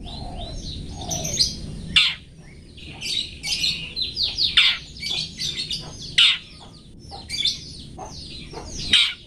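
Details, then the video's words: Long-tailed shrike singing for cage-bird training: a dense, fast stream of varied high chirps, squeaky twitters and sharp strident notes, nearly continuous throughout. "TOET TOET masteran burung cendet toet toet"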